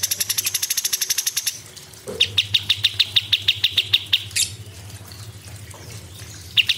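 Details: Cucak cungkok, a small songbird heard in a training recording: a rapid buzzy run of notes gives way to a string of sharp, evenly spaced high chips, about three a second, then a pause and a final chip.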